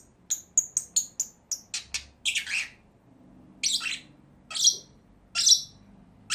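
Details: Pair of pet lovebirds: a rapid series of short, sharp high chirps, about two per second, breaking into longer rasping squawks spaced a second apart.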